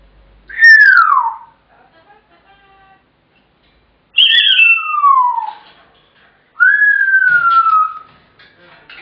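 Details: Home-kept African grey parrot whistling loudly once its owner gets in, until fed: three clear whistled notes about three seconds apart, each sliding downward, the last flatter and longer.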